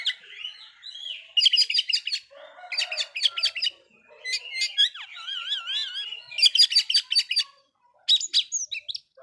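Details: Long provoking song of an Oriental magpie-robin, alternating rapid clusters of sharp high notes with buzzy passages and a wavering, warbling trill, nearly continuous for over nine seconds.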